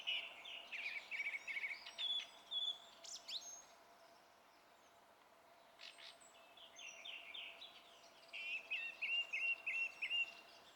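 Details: Song thrush singing on 27 April: clear whistled phrases, each motif repeated several times, including a rapid run of short notes near the end, with pauses between phrases and faint steady background hum.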